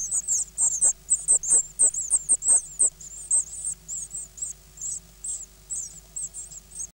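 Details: Great tit chicks, nine nestlings eight days after hatching in May 2010, begging during feeding: a dense run of shrill, slightly wavering squeaks, fast at first, then slowing to spaced, thin high peeps.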